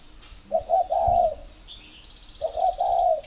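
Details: Two clear, low spotted dove coo phrases, each short notes leading into a longer purring coo, from a captive bird in Ba Vì, Hanoi, Vietnam, showing readiness for pairing; a faint high bird trill between them.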